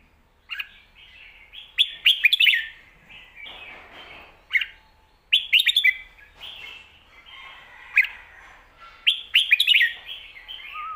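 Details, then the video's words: Thai contest red-whiskered bulbul, a professional caged competitor, delivering lak wai mixed with mae bot song: clear rolling whistled phrases in clusters of quick notes, about every two seconds, with brief soft rustling in a pause. "ลากหวาย+แม่บท สลับวางเพลงชัดๆ นกแข่งอาชีพ"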